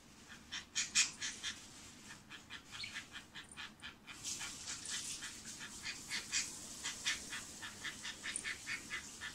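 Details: Female budgerigar kept as a pet, recorded secretly, giving a buzzing "bububu" sequence: scratchy, clicking pulses at first spaced, then quickening into a denser rattling stream.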